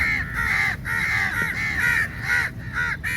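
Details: Crow flock crowding onto food at feeding time: loud, harsh, drawn-out caws from several birds following one another almost without pause, over a low rumble.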